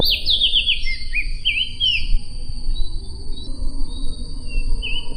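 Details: Sumbawa opior (white-eye) on a tutoring recording: a short burst of fast, high, sweeping twittered notes at the start, then quieter scattered chirps over a constant low rumble and steady thin high-pitched hum.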